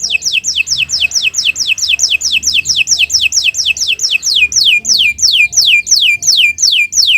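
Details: Loud, continuous canary song used as a training recording for other birds: a steady series of sharp, downward-slurred whistled notes, roughly three per second, without a break.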